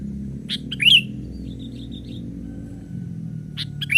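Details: Young sooty-headed bulbul on a branch, calling to attract wild birds; a crisp cluster of chirps ending in a loud slurred whistle, then a faint thin trailing note, with another bright chirp at the end over low hum.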